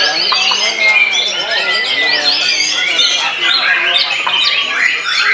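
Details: White-rumped shama kept in a cage, newly out of moult, singing wildly against an opponent. Loud, crowded run of sliding whistles, rapid chips and scratchy notes that overlap continuously.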